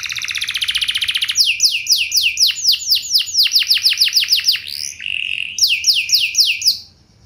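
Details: Canary song used as a lure to draw other canaries into answering: a fast buzzy trill, then a long run of rapid descending whistled sweeps, a brief flat tone, and more repeated sweeps.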